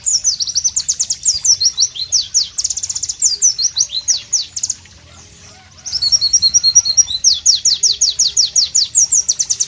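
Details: Sharp, melodious White-eye (Pleci) masteran song: quick high whistled notes in rapid bursts, a pause of about a second near the middle, then more fast, bright, slurred chirps resuming.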